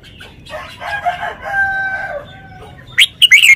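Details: Red-whiskered bulbul showing off its song phrasing. A rough, drawn-out rooster-like crow fills the first two seconds, then the bulbul bursts in with three quick, loud, bright warbled notes near the end.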